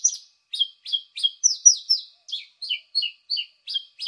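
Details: Paddyfield pipit (Anthus rufulus), call.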